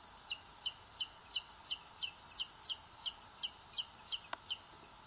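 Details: Booted eagle chicks in a nest on a live webcam in Sierra de Guadarrama, Spain, 2022. Thin, high double chirps repeat steadily about three times a second, with a single sharp click near the end and a faint hum underneath.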